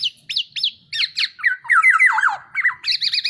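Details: Tame, vocal black-naped oriole: a few sharp, high, down-slurred notes lead into a liquid, wavering fluty whistle. It ends in a fast, evenly repeated, bubbling trill.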